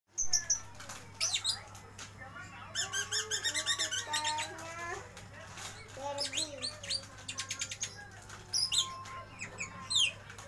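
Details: Lovebird ngeriwik, a rapid chattering song in a bird shop: dense bursts of high, sharp chirps and buzzy harmonic notes, repeated in quick runs, with a steady low hum and other shop birds in the background.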